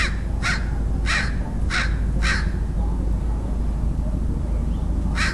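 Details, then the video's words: San Diego, California, USA, 27 February 2009. A crow gives a run of six rasping caws spaced roughly half a second apart, with a constant low background rumble. "Crow crowing"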